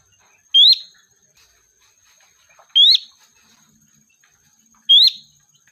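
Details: Calling sooty-headed bulbul, a lure to draw in the flock: three bright upslurred whistles about two seconds apart, clean and loud, with quiet gaps and a faint steady high hum in the background.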